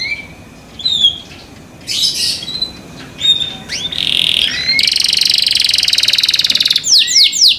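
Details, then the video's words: Kept canary singing loudly to set off other canaries: scattered whistles and chirps build into a steady buzzing trill lasting two seconds, closing with quick down-sweeping notes. "THE SOUND OF CANARIES CAN MAKE OTHER CANARIES JOIN TO SING"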